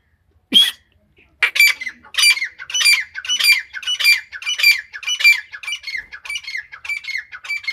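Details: Iranian female grey francolin calling: after one sharp opening note, a steady run of harsh, squeaky, high notes repeats almost twice a second in a rhythmic, insistent series, with no other sounds.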